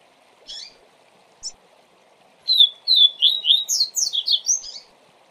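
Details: Double-collared seedeater giving a 'tui tui zel zel' type song meant for training young birds: two brief buzzy notes, then a fast, continuous string of sweeping whistled syllables rising toward the end, with a faint low hum behind.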